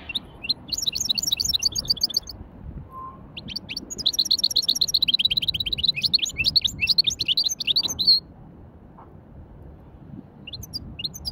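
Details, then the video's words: Hybrid European goldfinch at a bird market giving a light warm-up song: bursts of rapid, high, tinkling twitters in long runs, pausing briefly, then a dense stretch before going quiet with a few final notes. "توليعة خفيفة تغريد ويداني لهجين"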